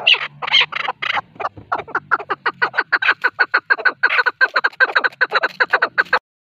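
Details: Male chukar partridge call for hunting: rasping, loud chucks at first, then a rapid, even series of short clucking notes that stops suddenly.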